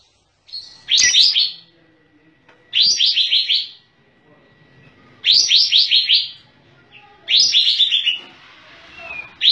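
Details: Sooty-headed bulbul in full, lively song with tail spread: four bubbly phrases of quick chirping notes, each phrase about half a second long, separated by short pauses, over a faint steady background tone.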